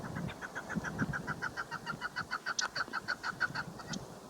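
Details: A female chukar partridge (Alectoris chukar) gives a rapid run of short, harsh clucking notes, about three per second, over a low background rumble.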